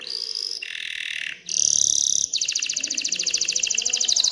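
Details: Excited canary song aimed at stirring females to mate and nest: a high buzzy trill drops to a lower rolling trill, then a piercing sustained note and a long fast high trill.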